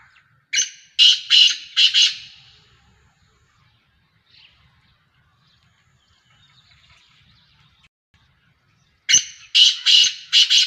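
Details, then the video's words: Black francolin, a Sheedi cross bird with a nasal voice, calling twice: each bout a burst of four or five harsh grating notes, with a quiet gap of about six seconds between bouts. "Speeder Kala Teetar Sheedi cross Nasal Black Franclion Voice"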